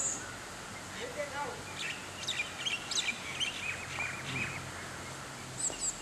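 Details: Juvenile great tit calling in a hotel garden in Manali, Himachal Pradesh; short high chirps and sharp notes scattered through the clip over a soft background hiss.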